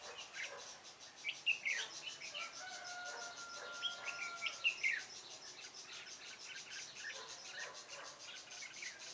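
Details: Red-whiskered bulbul at a bird trap. It gives short, bright, warbling chirps in scattered bursts, some rising and falling sharply. A steady thin tone and a faint insect-like buzz run underneath.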